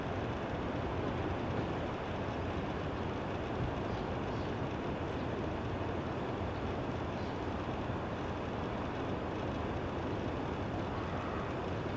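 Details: A steady rumble of vehicle or train noise fills the whole recording, with no bird or other animal calls standing out.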